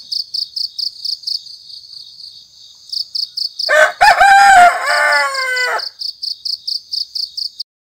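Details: Domestic rooster crowing in the pre-dawn hour of the morning call to prayer: a single harsh, ragged crow of about two seconds that rises, holds and drops, set against steady rapid pulsing chirps of crickets before and after.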